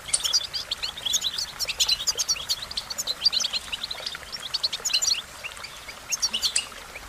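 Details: American goldfinch song: rapid, high twittering notes in dense overlapping bursts, with short pauses between phrases over about seven seconds.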